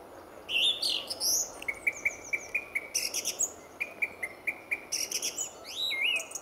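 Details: Early-morning song thrush at RSPB Fowlmere in February: a steady series of short, clipped whistled notes repeated many times, broken by high squeaky flourishes and rapid clicking trills.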